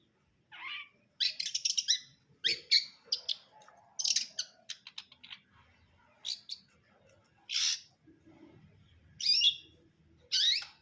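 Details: Cendet brundol, the long-tailed shrike, sings a varied run of quick chirps, buzzy trills and sharp squeaks, broken by short pauses. Faint low rumbling sits beneath the song.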